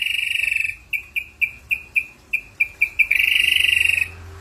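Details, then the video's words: Ashy drongo in vigorous lure song with mimicked fill. A brief trill, then crisp whistled notes repeated roughly three times a second, then a longer buzzy, rapidly pulsed phrase at the same pitch. "suara srigunting abu abu gacor PANCINGAN SADIS ISIAN MEWAH"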